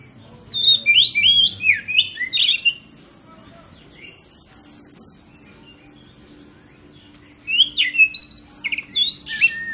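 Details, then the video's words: Oriental magpie-robin song used as a lure to stimulate other magpie-robins into singing their full repertoire: bright, varied whistled phrases sliding up and down, delivered in two rapid bursts separated by a quiet pause of about five seconds. "PANCINGAN KACER PALING AMPUH MERANGSANG KACER LAIN AGAR LANGSUNG BONGKAR ISIAN"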